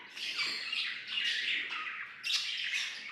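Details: Pet budgerigars singing and playing, a continuous busy warble of bright chirps, clicks and scratchy notes, swelling in loudness partway through, with a sharp bright burst near the end.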